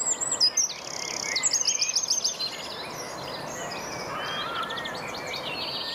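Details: Eurasian wren singing on 25 April 2015 in Rombergpark botanical garden, Dortmund, recorded on a Panasonic Lumix GH4: loud, very high, rapid staccato notes running into fast trills, then fainter warbling phrases over steady background hiss.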